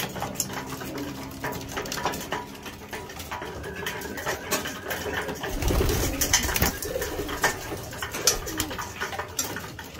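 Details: Homing pigeons at morning feeding: low, soft cooing hums in the first seconds, set against steady clattering, tapping and scuffling noises and a louder rustling burst near the middle.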